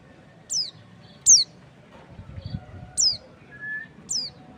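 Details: Sharp, high, downward-sweeping chirps from a white-eye, the bird known as pleci or kacamata, come four times at uneven gaps against a quiet background with one short, lower, level whistle.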